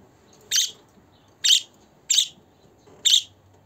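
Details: Budgie calling sounds for a pet bird: four short harsh chirps, roughly one every second, somewhat irregular, over a soft background hum.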